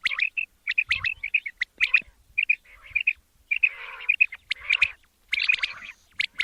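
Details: Male quail (batair) calls in a recording made for the morning hunt. Sharp clipped chirps come in rapid bursts of two to four notes, about a hundred per minute, broken by a few rougher squawky notes.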